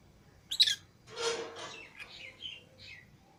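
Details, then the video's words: Lovebirds out of their cage with other lovebirds give a shrill squeak, then a harsh rasping burst and a few thin twittering notes. "Love Birds Singing And Chirping Sounds_Green Fischer Pair_Lutino Lovebird Pair"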